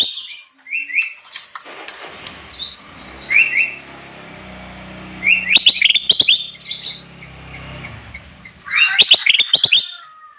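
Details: Kutilang emas bulbul singing, recorded for luring wild birds: scattered short whistled phrases over a steady hiss, building to dense bursts of rapid, bright whistled notes near the middle and end.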